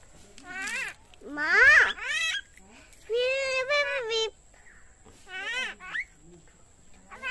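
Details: Pet common myna talking, imitating human speech: squeaky, speech-like phrases with swooping rising and falling pitch, about five bursts separated by short pauses over seven seconds, with a faint steady high hum behind.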